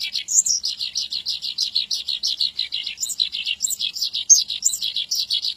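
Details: Continuous Javan bush lark song meant as a tutor recording: rapid runs of bright chirps and trills, regularly pulsed, with scattered higher piercing whistled notes rising above the steady flow.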